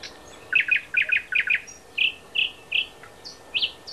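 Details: Thrush nightingale from Háj, Turčianske Teplice, Slovakia, delivering repeated doubled chock notes in a steady series, then clear ringing notes spaced about every half second, ending with higher sharp strokes.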